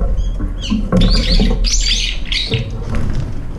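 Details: Brown-eared bulbuls quarrel at a feeder, each bird trying to claim the food alone. Harsh, screechy, buzzy squeals come in quick succession over a low rumbling background.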